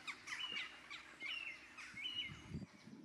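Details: Common shelduck ducklings at Llanelli Wetlands peep in high, thin, slightly sliding notes, several overlapping each second, with faint low rustling near the end.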